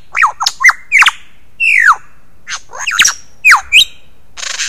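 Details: Early morning song of a male lyrebird at Ben Ricketts Environmental Preserve, 15 July 2018, recorded by a motion-sensing wildlife camera: loud varied whistles, sharp downward sweeps and looping notes in rapid succession, ending with a harsh rasp.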